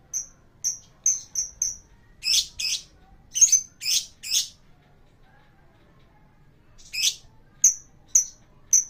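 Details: Lovebird song serving as a lure for other birds. A row of quick, thin, high chirps leads into loud, rasping, squawky bursts, then a long pause before more harsh shrieks and sharp chirps, all close and clear.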